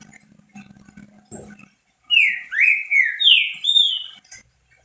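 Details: Green-winged saltator kept as a pet, singing to rouse other saltators: a phrase of five clear, slurred whistles, alternately rising and falling, delivered over about two seconds after faint low humming and a soft rustle.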